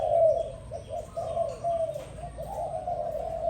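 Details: Dove calling in the morning: low, soft cooing notes rolling one into the next without pause, each note gently dipping in pitch, forming a steady murmuring series throughout.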